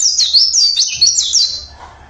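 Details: Local Javan oriental white-eye singing naturally: a rapid high twittering run of thin, jumbled notes that jump up and down, loud for about one and a half seconds, then fading out.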